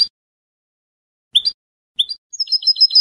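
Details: Spanish goldfinch salon song: a couple of short sharp high notes, then the opening of a fast, tinkling repeated trill, in a clean recording.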